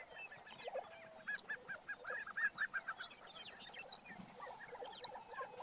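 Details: Several lesser prairie-chickens on a lek in Kansas, April 19, 2015, call at once in a busy chorus of cackling, yelping notes with a few lower hollow hoots mixed in.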